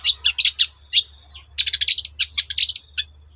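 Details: Long-tailed shrike song, meant to draw other shrikes into singing: rapid bursts of squeaky chattering notes, a brief lull in the middle, then more crowded chatter.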